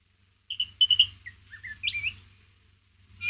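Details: White-rumped shama ngeriwik song to stir a pet shama's emotion: a string of clear high whistled notes stepping down in pitch, a couple of upward flicks, then a short silence.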